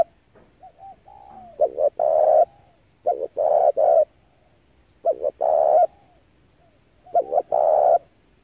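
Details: Spotted dove cooing, used as a decoy call to lure wild doves into traps. Four deep, hollow phrases, each a few short stuttering notes and then a longer rolling coo, repeat about every two seconds in a quiet setting.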